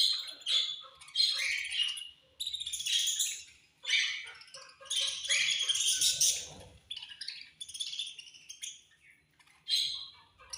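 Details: Several budgerigars chatter at food time, pouring out a busy stream of high, squeaky chirps and warbled twitters in bursts of one to two seconds with brief gaps.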